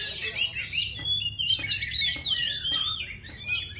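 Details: Oriental magpie-robin, called a kacer ngepet, delivering quick bursts of sharp, high whistled phrases separated by brief gaps, about three bursts per second, bright and scratchy, with a low hum in the background.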